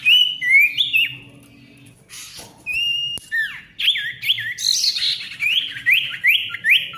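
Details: Ashy tailorbird song used to bring silent tailorbirds back to song: clear whistled notes, a pause, then a long, fast series of repeated rising whistles with a buzzy burst midway.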